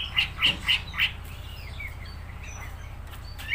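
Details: Greater green leafbird in lively song: four loud, clear whistled notes in quick succession, then softer scattered chirps and slurred whistles over low background hum.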